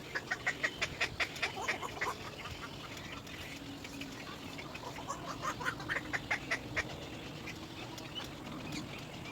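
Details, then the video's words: Little egret chick crying for its mother: a fast run of short, harsh, evenly spaced chattering calls in the first two seconds, then softer scattered calls over a steady background hiss. "little egr, baby bird cries for mother"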